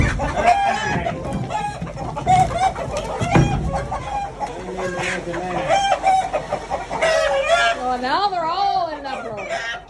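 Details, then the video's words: Upset chickens clucking, perhaps set off by a sneeze: loud, overlapping squawks and clucks from several birds, with wavering drawn-out calls near the end and a person speaking. "Chickens clucking upset, did a sneeze set it off?"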